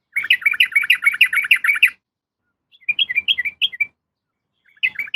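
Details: Female yellow-vented bulbul calling a male: a long, rapid string of bubbly, warbling notes, then a shorter run after a pause, and a third burst starting at the end.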